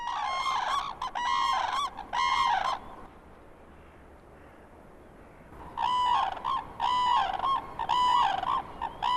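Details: A territorial, lifelong-paired red-crowned crane couple at a Hokkaido crane sanctuary in winter trumpets a loud duet, male usually first, female following, ringing bugling bursts about once a second, a pause, then another round; calls carry 5 km and advertise their bond.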